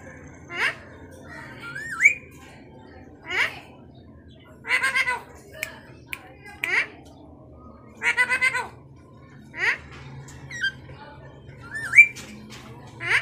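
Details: Pet Alexandrine parakeet talking: short raspy speech-like squawks repeated about every one to two seconds, some in quick doubled bursts, with two brief rising-falling whistles between, over a faint low hum indoors.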